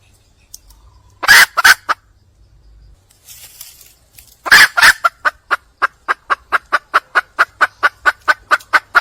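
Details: Wild junglefowl hen seeking a mate: two loud, raspy double notes, a pause, then another harsh note that runs into a long, steady train of clipped clucks repeated several times a second.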